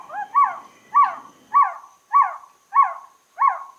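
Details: Six hollow, downslurred trogon notes, each a short falling cow-like sound, evenly spaced about every 0.6 seconds.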